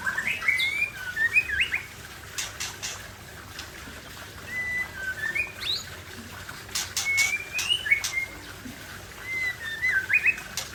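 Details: White-rumped shama, an original wild bird from the forest of Cot Goh, Bireuen, Aceh, singing: clear whistled notes with quick rising and falling slurs, given in short phrases with brief pauses, plus sharp clicking ticks between phrases.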